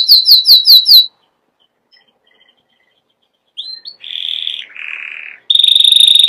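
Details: Canary singing: a quick series of five bright, downward-swooping notes, a pause, then short whistled slurs, a buzzy mid-pitched trill, a lower rolling trill, and finally a high, steady, rapid trill.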